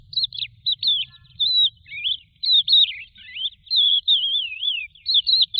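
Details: Lark singing flowing, fluty whistles, some long and wavering, others short and slurred, strung together over several seconds with a soft low murmur beneath.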